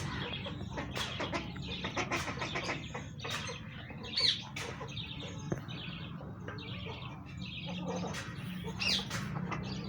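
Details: White domestic guineafowl give harsh, rattling, clicking calls in a busy, overlapping flock chorus.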